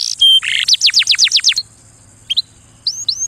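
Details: Canary singing for mating: a fast series of six descending whistled sweeps about every 0.15 seconds, preceded by a buzzy note and a steady tone, then a pause and a few short rising chirps.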